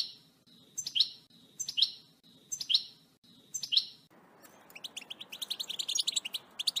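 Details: European goldfinch in excited 'batbata' song: four descending slurred notes, one about every second, then a fast run of dry, tinkling twitters and chirps.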